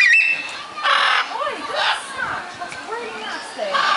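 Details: Macaws at Longleat Safari Adventure Park, England, in August 2011 give harsh, raspy squawks in three bursts about a second apart, between rising and falling whistled notes, as voices murmur in the background.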